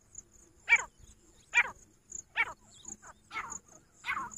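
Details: Female grey francolin calling, a series of rough, harsh notes repeated a little under once a second and growing slightly weaker, with a faint high steady hiss in the background.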